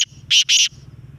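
Black francolin giving two loud, harsh, grating notes in quick succession, each about a quarter-second long, with a faint low hum underneath.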